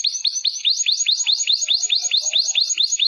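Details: Canary song of repeated downward-curving whistled notes, about four to five per second, evenly spaced and clear.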